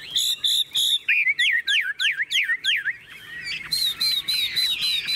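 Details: Hand-tamed Chinese hwamei in a carried cage, pecking at a hand, sings clear repeated whistles, then a series of quick descending slurred notes, ending in bright high warbled phrases at a steady fast pace.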